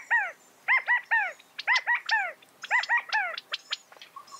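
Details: Repeated arched, down-slurred notes from California quail, delivered in quick clusters of two or three, with sharp high chips mixed in toward the end.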